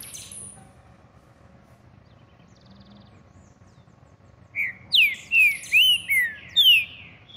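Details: Green-winged saltator singing while held in the hand, a short phrase of loud, clear whistled notes sliding downward, about six in quick sequence after a quiet start.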